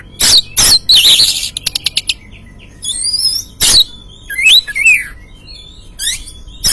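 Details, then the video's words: Oriental magpie-robin, an untrained bird, used as a lure to provoke singing: harsh bursts and a quick series of clicks, then rising and falling whistled notes and squeaky slurs, with loud noisy bursts between phrases. "Pancingan Burung Kacer Bahan"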